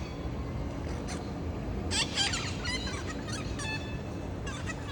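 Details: Parrots heard on a Saturday afternoon visit, August 30, where a calling scout drew three more birds. A cluster of rough, overlapping squawks and chatter sounds in the middle, then fainter calls trail off, over a persistent low hum.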